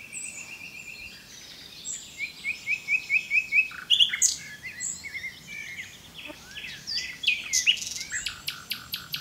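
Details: Singing common nightingale delivering a rapid run of repeated rising notes, then varied high buzzy and chattering phrases, ending in sharp clicking bursts; loud, clear and dominant.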